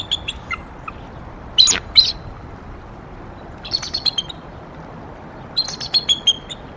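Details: Bald eagle pair calling on nest N1 at Decorah on the morning of 18 April 2022, after bringing fluff into the nest. High thin chips and two loud squealing notes are followed by clusters of rapid, chattering high calls against a hissy background.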